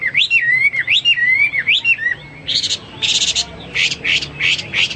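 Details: Hwamei in full, energetic song, recorded as a tutor for pet birds: three looping whistled phrases rising and falling with a wavering tail, then a run of six harsh, buzzy rasping notes about half a second apart, over a faint low hum.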